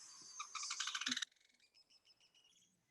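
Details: Loggerhead kingbird recorded in Cuba, a Caribbean flycatcher, gives a loud, sputtering, high chattered trill for about a second, then trails off into softer, evenly spaced squeaky notes.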